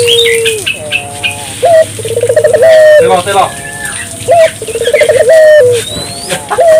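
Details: Ring-necked dove lure for prompting local doves to call: a long level coo, then three cycles of a short note and a bubbling trill ending in a drawn coo. Background twitter and a low hum are also audible.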